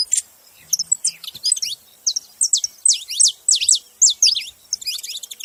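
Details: A group of saffron finches chirps steadily. Crisp, high, slurred notes repeat quickly and overlap into a busy chatter over a quiet background.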